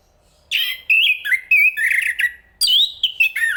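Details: Continuous varied Enggano thrush song: clear whistles, buzzy trills and twisting slurred notes in two close sections.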